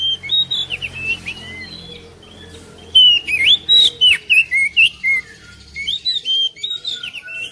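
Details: An oriental magpie-robin sings to prompt another magpie-robin: scattered soft whistles over a low hum, then a rapid, regular series of loud chirping and whistled notes, several per second.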